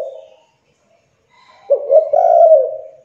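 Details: Young spotted dove cooing to coax quiet doves into song; a brief tail of one coo, a pause of over a second, then a clipped opening note and a long husky coo.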